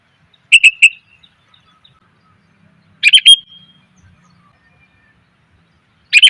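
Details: Sooty-headed bulbul female calling to attract males, a lure sound: a triple chirp, then after a pause a tight chattering cluster ending in a short level whistle, with another burst just starting at the end.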